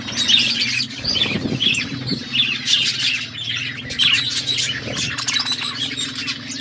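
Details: Several budgerigars in an aviary, chirping together in a dense, continuous stream of high, scratchy warbles and squawks, with a low steady hum beneath and brief wing flutters.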